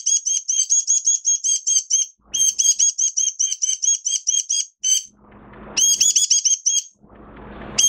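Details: Singing Oriental white-eye, minor moult, June 2022: long strings of quick, piercing repeated notes broken by short pauses, with bursts of rustling or scraping noise between phrases.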